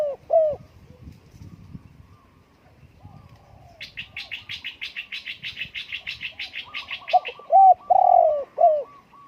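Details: Spotted dove giving soft hollow coos at the start, then a louder phrase of several mellow, slightly descending coos near the end. In between, another bird gives a fast, buzzy, rhythmic chatter of about a dozen repeated notes.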